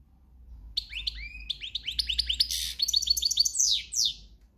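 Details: European goldfinch, a countryside singer in breeding season, delivering a fast run of tinkling, twittering high notes with buzzy trills and a rising flourish near the end.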